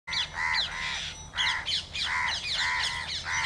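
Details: Spotted owlet recorded 31 August 2022, giving harsh, scratchy notes with a slight downward bend, grouped in short bursts separated by brief pauses, over a steady low rural hum.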